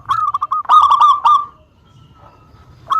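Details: Local zebra dove singing to lure rival birds into calling back: a brisk string of short coo notes swelling into a louder rolling burst, then a pause and the start of another phrase.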